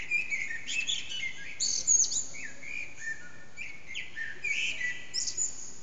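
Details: Blackbird's dawn song at about 4:40am in a backyard whose echo makes it loud, phone-recorded, singer hidden; a run of mellow whistled notes alternating with thin chattering trills, steady hum of background noise throughout.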